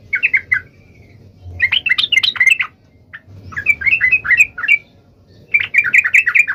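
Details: Rival-calling song of a yellow-vented bulbul, used to provoke other birds into replying instantly: liquid, bouncing chirps strung into four short clustered phrases over a soft low rumble.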